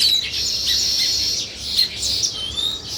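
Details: Weaver birds chirping while building a nest: a dense chorus of high, squeaky chirps and twittering notes overlapping continuously, with brief rising whistles near the end.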